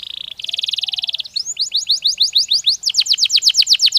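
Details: Canary singing, meant to ready birds for the mating season: a buzzy steady high tour, then a rapid rolling trill, followed by slower loud repeated sweeping notes accelerating slightly toward the end.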